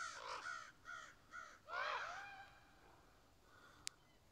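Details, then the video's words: Ravens, juveniles and adults, talking to each other in the trees: a run of four hoarse, nasal caws about half a second apart, the last longest and harshest, then quiet with a faint click. "Rantings of Ravens. Juvenile and adults caw and talk to each other in the trees. Extremely vocal"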